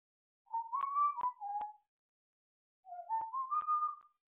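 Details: Rehearsal of "Bella ciao" whistled by a pet African grey parrot: two short phrases of clean, flute-like notes, the first rising then dropping, the second climbing upward, separated by about a second of silence.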